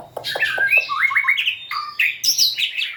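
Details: White-rumped shama giving a quick burst of song, low clicking notes leading into a tumbling run of chirps and high squeaky whistles.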